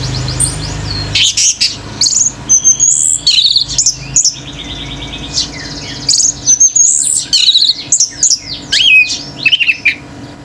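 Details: Male orange-headed thrush in 'gacor teler' song that sets other birds off: a long, dense stream of varied high whistles, slurred loops, trills and chattering notes, delivered almost without pause.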